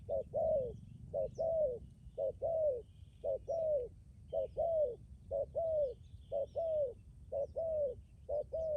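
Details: Spotted dove used as a decoy, Lâm Đồng, Vietnam, giving long, steady runs of cooing: short note then longer descending note, regularly about once a second, with faint bird chirps far behind.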